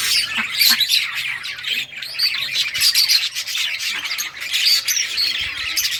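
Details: Group of budgerigars playing, June 17, 2023: continuous busy warbling chatter mixed with harsh squawks and high chirps, hardly pausing throughout.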